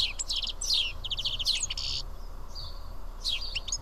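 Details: Karyotissa, Greece: seven house sparrows feeding side by side give clipped, repeated chirps in loose clusters, separated by short pauses, plus a soft thin whistle near the end.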